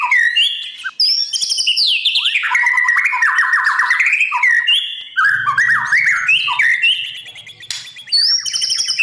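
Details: White-rumped shama in continuous morning song used to prepare wild-caught birds for singing competitions; fluid, rapidly varied whistles sweeping up and down, interwoven with fast trills, barely pausing.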